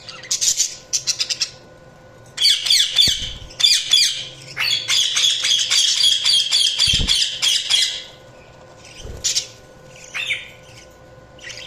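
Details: Budgerigars chirping in dense, rapid bursts of scratchy, high chatter with short pauses. Several quick clicks open the recording, and a few isolated chirps follow near the end.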